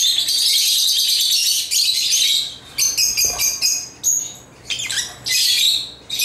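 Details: Caged African lovebirds chattering as they play with toys, giving harsh high squawks and rapid chirps in bursts separated by short gaps, with a few clearer whistled notes between the noisy outbursts.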